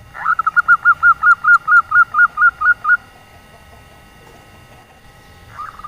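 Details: Local female zebra dove calling in the nyelir style, meant to entice males that rarely sing: roughly twelve short, bent notes delivered in an even, rapid run over three seconds, then quiet before a brief final note begins.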